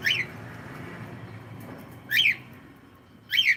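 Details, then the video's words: Cockatiel giving three short, bright rising chirps, each sweeping upward, at about one-second gaps, against faint low background hum. "cute Cockatiel sound"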